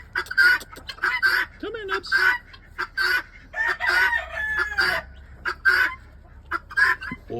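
Helmeted guineafowl give harsh, grating, chattering calls in quick bursts, about one a second, with a few overlapping voices and a brief lower squawk.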